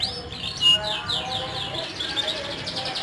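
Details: Short burst of canary song to prompt silent canaries: a sharp whistle, then quick repeated downward-sweeping notes in a fast trill.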